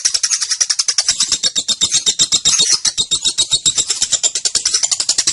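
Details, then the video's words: Young female lovebird used to lure and tutor other birds, in loud, extended 'ngekek' chatter: a dense, rasping, very high rattle of rapid repeated pulses, about four per second, running without a break. "Suara Burung LOve Bird Betina Balibu Kusumo Ngetik Konslet Ngekek Pancingan Masteran Panjang"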